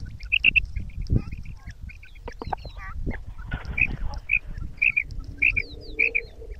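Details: Female quail giving a mix of kirak and sirak calls: high, squeaky paired and triple notes, repeated about every half second, over low thumps and rustling.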